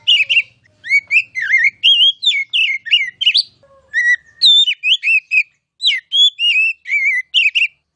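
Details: Kacer, the oriental magpie-robin, singing masteran tutor song: a busy stream of varied whistled phrases, rising and falling notes, and chirps in quick bursts with short pauses, plus a faint low hum at the start.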